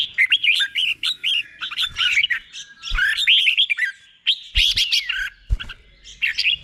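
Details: Caged red-whiskered bulbul, Thailand, with slow distinct doubled 'beon' song played to train other birds. Rapid bubbling whistled phrases, bright and rolling, in several runs with brief pauses and a couple of dull knocks.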